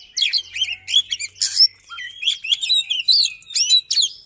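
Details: Dense, fast white-rumped shama song of rolling phrases: rich warbled whistles, upslurs and buzzy notes follow almost without gaps, the bird singing persistently over a faint low hum.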